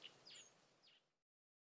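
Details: Male common reed bunting singing from reed stems above water during the breeding season while defending its territory; a short, faint phrase of three high chirped notes over about one second, the first a sharp bright chip followed by two downward-slurred notes.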